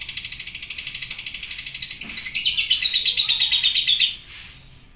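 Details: Lovebird in a long chattering song (ngekek): a rapid, even stream of high dry pulses, about three per second, that swells louder and brighter midway, holds for two seconds, then breaks off abruptly into quiet.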